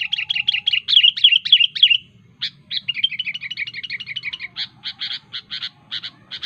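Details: Sooty-headed bulbul (kutilang) in lively song used to call rivals: long runs of quick bubbly warbling notes, a brief pause, another rolling run, then a string of spaced sharp chirps, with faint low hum beneath.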